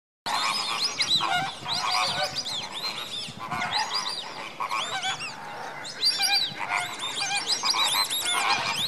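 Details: Captive greater flamingo flock at Slimbridge in January, active before bedtime: a dense, continuous chorus of nasal, goose-like honks, many birds overlapping with arching high notes.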